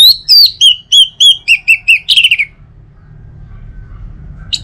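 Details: Orange-headed thrush singing, meant as a morning lure to get other birds singing: a quick series of about a dozen clear, slurred whistled notes dropping gradually in pitch, ending in a short twittering flourish, then near silence.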